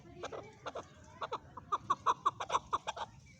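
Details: Male chukar calling: quieter clucking notes that start sparse and ragged, then settle into a steady run of clear, evenly spaced chuck notes, about six per second.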